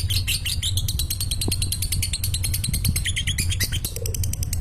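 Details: Lovebird ngekek chattering while falling asleep, a lure for lovebirds slow to sing: quick, squeaky trilled pulses over a steady low rumbling hum.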